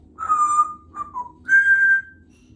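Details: A female Congo African grey parrot, kept as a pet in a country home and chatty while practising, gives three clear whistled notes: a steady mid-pitched tone, a short falling pair, then a higher held whistle in a quiet room.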